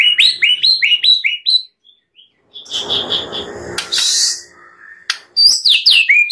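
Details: White-rumped shama singing on a master track meant to train other birds: a fast series of sharp rising chips, a brief pause, a harsh hissing rasp, then more quick rising notes.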